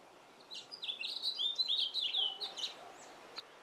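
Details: Male house finch singing in a yard: a long, lively, warbled run of high slurred notes lasting about two seconds, ending with a few short chirps.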